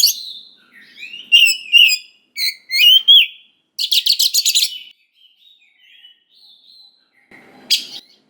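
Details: Oriental magpie-robin lure song meant to make young wild birds respond: clear slurred whistles, then a fast rattling burst of harsh repeated notes, followed by quiet soft whistles and a final sharp note.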